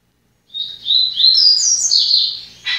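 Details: Seedeater song from a kept bird; one continuous loud phrase of quick high chirps and slurred whistles lasting about two seconds, closing with a short harsh note.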